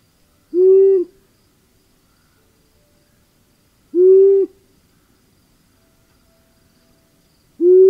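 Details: Long-eared Owl (Asio otus) giving three low, soft, even hoots, each under a second long, spaced about three and a half seconds apart, against a quiet background.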